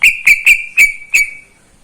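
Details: Greater green leafbird kept in a cage, singing in the morning: five loud, clear level whistles given in quick succession, the last trailing off.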